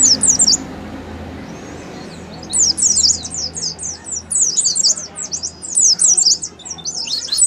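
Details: Oriental white-eye ngalas song as a singing lure: a short high twitter, a pause with low hum, then sustained rapid high-pitched chattering notes running to the end.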